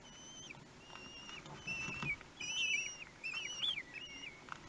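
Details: One-week-old common kestrel chicks at a nest in Théding, France, on 31 May 2020, calling while being fed: thin, whistled, slightly wavering notes, clustered in bursts of short squeals with soft rustling.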